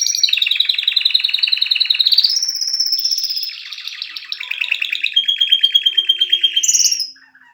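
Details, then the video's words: Canary song of changing trill sections, from a bubbling rapid trill to smoother sustained tones and back to loud fast repeated notes, ending with a brief high flourish. "کنری مست/خواندن کناری مست/قناری با صدای عالی/KANARYA sesi"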